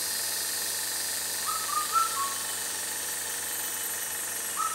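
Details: A rare Indian cuckoo, called a herald of summer, calls one clear four-note whistled phrase, then begins another at the end, over a constant high-pitched hiss.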